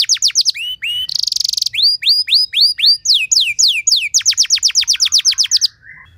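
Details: Canary training song in an elaborate melodic style meant to set other canaries singing. Quick downslurred notes give way to a dense buzzy trill, then rising and falling whistled notes, ending in a fast even series of about four notes per second.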